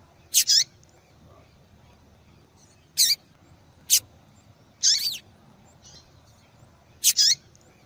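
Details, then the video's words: Female yellow-bellied seedeater calling, used to stimulate a male to sing: short high sharp notes in pairs or singly, about every one to two seconds, with quiet background. "Fêmea de Papa capim Chamando Para Esquentar Papa Capim"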